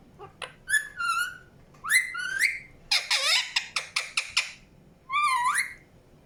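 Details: Indian ringneck parakeet giving natural chirps: short rising whistled notes, a dense rattling cluster of quick harsh calls in the middle, then a final upward-sweeping screech.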